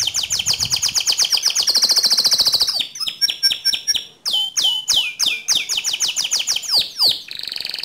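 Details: Canary song meant to stir another canary into rolling song: fast rattling trills near 4–6k, then a series of sharp descending whistled notes repeated about every third of a second, ending in a buzzy trill.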